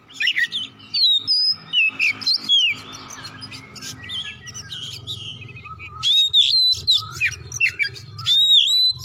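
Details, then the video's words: Oriental magpie-robin song meant to prompt other birds: bright whistled phrases with sharp downward and upward slides, a quieter stretch over steady low hum, then another loud run of whistles. "masteran kacer gacor atau pancingan kacer biar bunyi"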